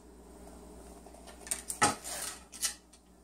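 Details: Indoor clinking and clattering, like dishes and cutlery being handled, over a low room hum.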